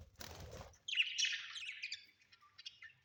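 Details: Pet budgerigars kept at home, a short burst of wing flapping followed by rapid warbling chirps and chatter, high and busy, fading into softer scattered tweets.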